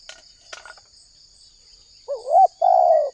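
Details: Spotted dove lure for trapping: a few faint clicks and taps come first, then one coo phrase late in the clip, a warbling rising note followed by a drawn-out buzzy coo, with a steady high drone throughout.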